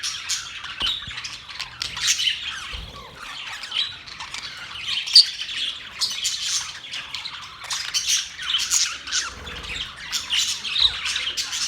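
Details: A long stretch of happy budgerigar chatter: soft, constant high twittering, with clicks and squeaky chirps scattered through it and a few sharper peaks.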